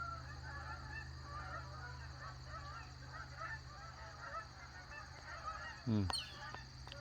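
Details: Many geese living between a lake and a pond honk in a steady chorus of overlapping nasal calls heard all day, with a low hum and a brief sweeping noise near the end.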